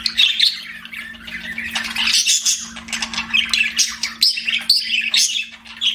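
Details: Chattering pet budgerigars give rapid scratchy chirps and brief squawks, the busy overlapping calls rising and falling in loudness over a low background hum.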